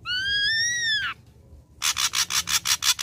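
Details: Ashy drongo song used as a lure to provoke a response: a loud whistled note about a second long, slowly rising then dropping sharply at the end, followed by a rapid series of harsh buzzy rasping bursts.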